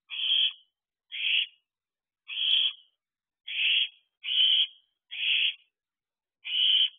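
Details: Fledged owlet, around 13 weeks old, begging at night from a roof by an owl box; rasping hissed screeches, seven in seven seconds, spaced unevenly, each about half a second long.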